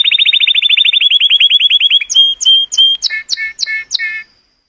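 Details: A color canary sings to stimulate females, a rapid string of repeated whistled notes that slows, then short high whistles and a set of sharp descending slurred notes before silence.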